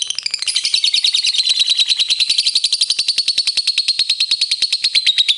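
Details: Provoking lovebird song meant to make rival birds sing back: a long unbroken rattling trill of rapid harsh high pulses, building slightly in loudness and holding steady.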